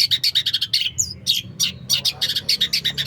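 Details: Long-tailed shrike (pentet) from Indonesia singing a rich, varied song: rapid runs of sharp, high chattering notes pulsing several times per second, broken by one slurred whistle, with a faint low hum behind.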